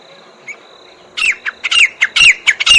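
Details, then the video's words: Grey francolin, called jungle teetar, starts with a faint steady tone and a single soft note, then breaks into a burst of loud, raspy, down-slurred calls repeated quickly. "Jungle Teetar Calling Sound"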